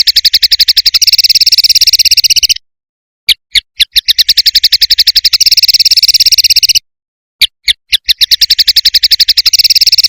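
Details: Prinia (perenjak) combination tembakan song: rapid high buzzy trills lasting a couple of seconds, broken twice by silence followed by a few spaced single chips before the trill resumes.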